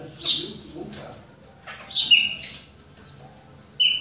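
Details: Sparse song of a Chopi blackbird in the rain: a few high sweeping whistles and a drawn-out note separated by quiet gaps.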